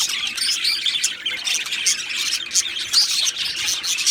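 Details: Two male Australian budgerigars chirping in a high, buzzy chatter, with short emphatic bursts coming roughly once a second and an occasional clear whistled note.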